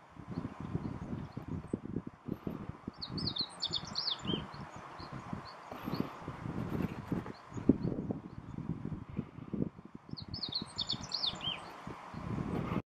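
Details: At Miho Citizens' Forest, a meadow bunting gives two fairly faint, high, quick twittering phrases about seven seconds apart, partly masked by heavy low rumbling and rustling noise.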